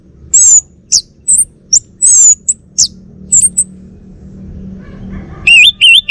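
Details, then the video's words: Male Bali orange-headed thrush, a caged bird kept at home in North Bali, sings loud, high whistled and rattling phrases in short bursts, ending with wavering looping whistles; a low hum sits underneath. "Kicau Burung ANIS MERAH Bali Jantan"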